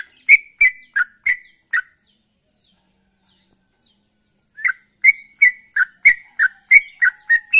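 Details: Sooty-headed bulbul in rapid 'ropel' song: a burst of sharp chirps, a pause of about two and a half seconds with faint notes, then another quick, evenly paced series of bright chirps.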